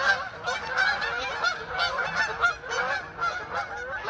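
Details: Canada geese passing overhead in a flock above a neighborhood near the start of winter; loud overlapping honks, several each second, forming a continuous chorus.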